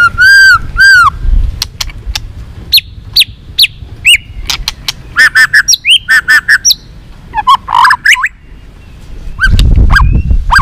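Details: White-rumped shama in loud, varied song in the líu twittering style, meant to provoke a young bird into fighting song: two long whistles, then a rapid series of sharp upswept notes and chips, with a brief low rumble near the end.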